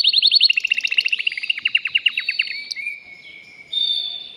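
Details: Excited male canary kept in a cage sings to prepare a female for breeding. Quick pulsed trill slows into a series of spaced descending chirps, ending in a soft sustained whistle.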